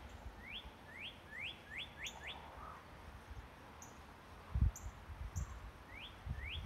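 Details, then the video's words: Sunrise birdsong: a quick series of five or six thin rising whistles, then a pause and two more upslurred notes, with distant higher chirps, low rumbling noise and a few soft knocks. "birds bringing up the sun with their song"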